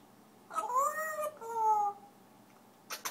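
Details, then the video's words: Indoor pet African grey parrot singing: a drawn-out, harmonic whistled note rising gently and then a lower steady tone, reminiscent of a meow, followed by two short clicks. "African gray parrot sings"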